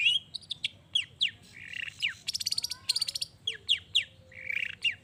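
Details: Long-tailed shrike in lively song, intended to stir other shrikes into replying. Sharp downslurred chips mix with a fast buzzy rattle of rapid pulses and brief whistled notes.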